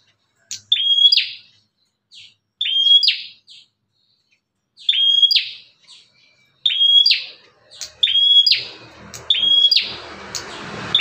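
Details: Aggressive Bar-winged prinia outside its cage, calling to attract other prinias; spaced pairs of sharp whistled notes with rasping tails, a group every two seconds, silent gaps between, faint noise at the end.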